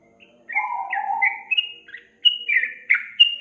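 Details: A lure recording of yellow-vented bulbul song for a young bird that sings little. A low, drawn-out buzzy note sits under rapid, bubbly whistled notes, with a brief pause before a lively final burst.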